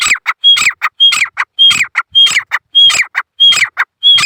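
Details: A male grey francolin gives a rhythmic string of strident, grating phrases. Each starts with a clear high whistle, followed by raspy descending notes, and the phrases come about every 0.6 seconds.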